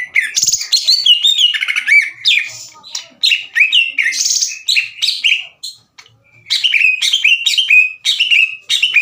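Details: Greater green leafbird, loud and clear, in rough, fight-provoking song aimed at other leafbirds. A dense, jumbled stream of piercing slurred whistles and chattery notes, pausing briefly before steadier descending phrases resume.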